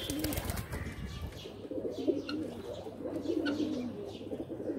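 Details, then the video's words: Pigeons cooing in their loft: soft, gurgling coo phrases repeat among several birds, with a burst of wing flapping at the start and a steady hum. "Pigeon are playing in loft"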